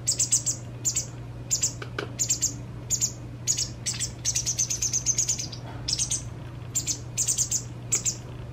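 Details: White wagtail fledgling fed to fullness by a parent shortly before leaving its care: insistent high chirps repeated about twice a second, breaking into a fast run of notes midway, steady low hum throughout.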